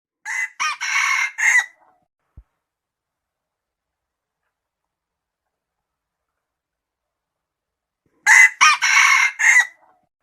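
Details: A red junglefowl crows twice, about eight seconds apart, with silence between. Each crow is a loud, harsh, four-part phrase: two short clipped notes, then a longer held note and a falling final note.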